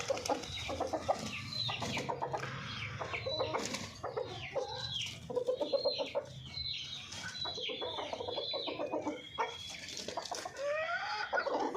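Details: Golden Misri hens giving repeated harmonic clucks and short cackling notes, with many high thin chirps from other small birds overlapping throughout.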